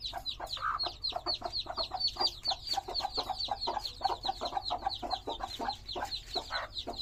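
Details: A group of colourful baby chickens giving loud, thin, descending cheeps in quick succession, several birds overlapping into a constant peeping chorus above a low hum.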